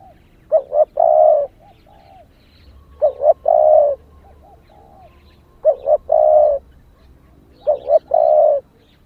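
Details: Spotted dove hen calling to arouse males, repeating the same coo phrase four times roughly every two and a half seconds. Each phrase has two short clipped notes and a long mellow coo, with faint low hum between phrases.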